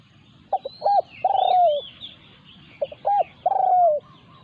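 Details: Spotted dove during decoy luring, with a resident wild bird confronting the decoy. Two phrases, each a couple of short clipped notes then a long, slightly falling, rolling coo. Thin high chirps from other birds in the background.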